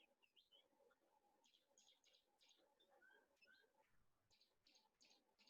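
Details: Grey-backed Camaroptera in southern Africa (Namibia, Botswana or Zambia), giving dry, high snapping bursts in quick runs like a camera shutter firing rapidly, with a few short clear whistles mixed in.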